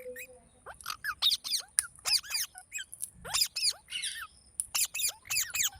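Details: Chirping green parrot, likely rose-ringed parakeet: short, sharp, high chirps and downward-sweeping notes given in separate bursts about every half second, against a quiet background with a faint steady high tone.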